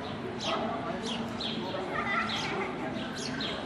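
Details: Sparrow chick being fed by its mother in Innsbruck, giving thin high chirps that slide downward, repeated roughly every half second, over a steady low background rumble.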